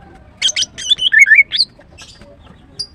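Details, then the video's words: Female greater green leafbird (green cucak), a kept songbird also used to lure others into singing, gives a quick burst of bright chirps leading into slurred, rising and falling whistled notes, then a lone high note. "The female Green Cucak bird is chirping well, GREATER GREEN LEARBIRD"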